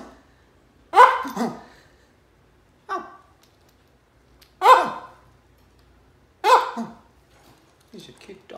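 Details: Cockatoo barking like a dog: four hoarse, raspy two-part barks at irregular intervals, one softer short note between them, and faint chatter at the end, recorded indoors.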